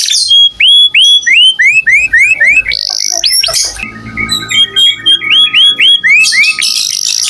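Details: Singing canary recorded as a tutor for other songbirds: clear upswept whistles repeated about four times per second, then a buzzy burst and further runs of rising chirps ending in a harsh high rattle, over a faint constant tone.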